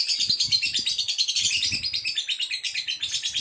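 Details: Male lovebird prepared for song competition, chattering loudly and without pause: high, buzzy, rapidly pulsed phrases at about three beats per second, with faint low thumps beneath.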